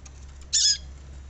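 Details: A single harsh, high, buzzy calling note from a female Double-collared Seedeater, used to prompt males to sing, lasting about a quarter second over a low background hum.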